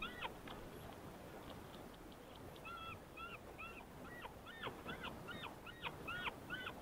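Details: Secretarybird parent feeding a chick on the nest; faint, short squeaky calls with a ringing, layered tone, scattered at first and then coming in quicker bursts over a rushing wind-like background.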